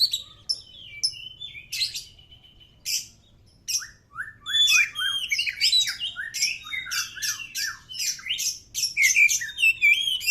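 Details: White-rumped shama singing a varied run of whistled and chattering phrases, sliding notes and sharp chirps building into a dense, fast stream after a few scattered opening notes; offered as a song for other birds to answer.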